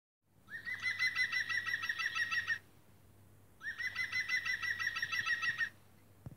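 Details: Green woodpecker calling: two loud laughing series, each about two seconds long, of roughly a dozen quick, ringing, evenly spaced notes with a slight downward drift. A quiet pause falls between the bursts, and a faint click comes at the end.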